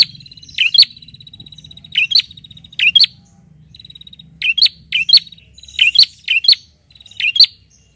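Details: A bar-winged prinia calls loudly at a rival with a rapid series of piercing chirps in pairs and triplets. About a dozen notes are threaded by a steady, dry ticking trill, and a faint low hum sits underneath.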